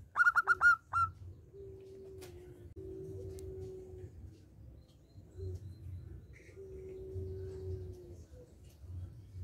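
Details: Local zebra dove in full song, kept as a lure for other doves: opens with a fast run of five soft, bubbling coo notes, then only a steady humming tone with low background rumble.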